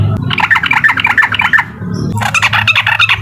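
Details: Provoking uklik song of a Sooty-headed bulbul: quick series of repeated two-part chattering notes, a short lull, then a louder burst of fast notes, with a low background hum throughout.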